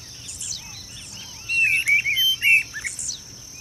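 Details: Displaying pair of streamer-tailed tyrants calling in a marsh in Goiânia, Goiás, Brazil, on 26 December 2017. A brief burst of four squeaky, twisting notes is heard amid soft background chirps and a persistent high-pitched insect drone.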